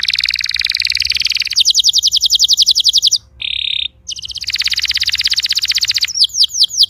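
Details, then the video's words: Canary song aimed at prompting a silent canary to sing: long fast pulsed rolls, a clipped trill of separate notes, a brief steady mid-high tone, another long roll and closing upslurred whistles. "PUTAR VIDEO INI JIKA KENARI ANDA MACET BUNYI"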